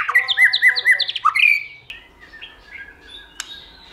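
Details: White-rumped shama giving its many-voiced stimulating song for training: under two seconds of loud repeated whistled phrases with quick upward flicks, then quiet with only a few faint soft notes and a single click.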